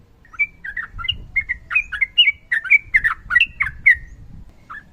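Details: Sooty-headed bulbul singing ropel, a chain of short, slurred whistles and chirps over a faint low rumble, ending with a single later note.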